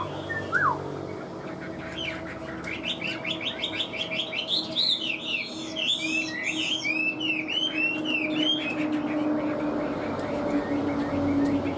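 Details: Chinese hwamei praised as a strong singer, delivering a long, varied run of loud whistled and slurred notes, rising and falling rapidly, over a steady low hum in the background.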